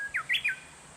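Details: Japanese bush warbler singing in a bamboo grove: the end of a steady whistle, then three quick, loud, slurred notes, the first dropping and the last two bright and falling, over a faint steady hiss.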